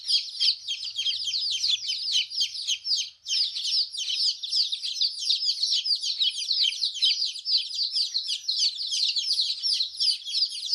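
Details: Colourful chicks chirping together: a dense, continuous chorus of high, thin peeps from many birds overlapping without a break, with a slight dip in loudness near the three-second mark.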